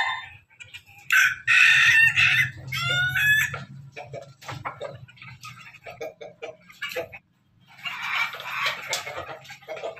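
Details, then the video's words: Pelung and Ketawa chickens together; a loud crow breaking into stuttered, chopped phrases early on, then scattered clicks and a second rough, noisy crow, over a steady low mechanical hum. "ayam pelung ayam ketawa bersama"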